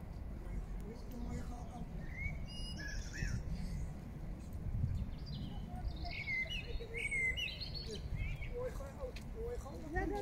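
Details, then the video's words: Song thrush singing in Regent's Park, London, with bright, varied whistled and chirping phrases over a steady low rumble of wind or traffic, with possible faint voices. "beautiful Song Thrush sings."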